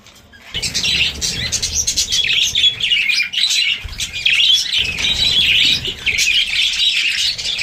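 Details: Pet budgerigars chatter in a steady stream of quick, high, twittering chirps and warbles.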